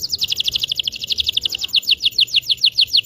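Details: Canary song used to train young canaries: rapid trill of high descending notes, about three per second, steady and clean throughout.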